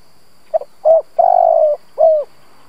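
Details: Decoy spotted dove cooing to lure and provoke wild doves: one phrase of a brief stuttered note, a rounded coo, a long pulsing coo, then a falling final coo, all low and mellow on a quiet background.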